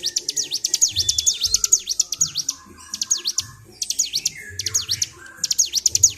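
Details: Agitated Bar-winged prinia in captivity, singing continuously in ngedur style, 26 February 2023: short choppy bursts of sweeping high chips separated by pauses, with a thin lower whistle and soft low knocking.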